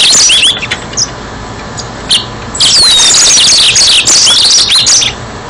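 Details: Yellow-fronted canary singing, meant as bait for trapping: a few scattered chirps, then a sustained, dense run of high twittering, looping whistles and buzzy notes.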